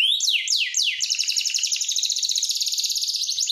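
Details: Canary singing a training song: three slow falling sweeps followed by a long, very fast even trill of about four beats per second, high and unbroken.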